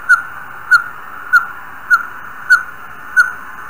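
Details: Northern Pygmy Owl from Idaho giving repeated clear whistled toots, each brief and identical in pitch, evenly spaced about every 0.6 seconds, with nothing else audible around them.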